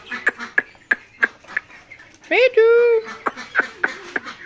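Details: Rose-ringed parakeet offered for sale as a talking bird: a run of sharp clicks about three per second, then a sustained nasal harmonic note that rises briefly and holds steady, followed by more clicks, with human voices close by.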